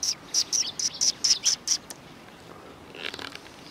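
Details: Sparrows by the road leading to a Tenmangu shrine, recorded 13 December 2019. A quick run of seven sharp, high chirps fills the first two seconds. Quiet follows, with a few faint chirps near the end.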